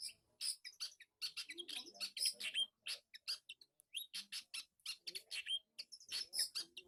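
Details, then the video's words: Long-tailed shrike reacting for the first time to a master recording: rapid run of sharp chirps and buzzy high notes with brief whistled slurs, varied phrases packed closely over several seconds. "Burung cendet. Reaksi pertama kali di masteri"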